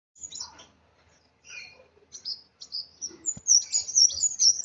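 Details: Agitated sunbird giving scattered high, thin chirps and short buzzy notes, building toward the end into a quick run of sharp, very high twitters.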